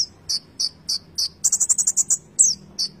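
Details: Singing Konin with full fill-in phrasing. Four evenly spaced high notes come before a short rapid buzzy trill, then a slurred whistle and a final high note.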